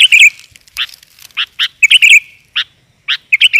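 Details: Calls of a female sooty-headed bulbul, used to lure males: dense, loud run of chirps and rolling warbled phrases with short pauses between them.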